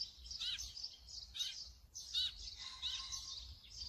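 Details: Brown-eared bulbul recorded with a Sony camera and 200-600mm lens: high, sharp chirps with quick downward-swooping notes, repeated in short bursts, over faint low background rumble.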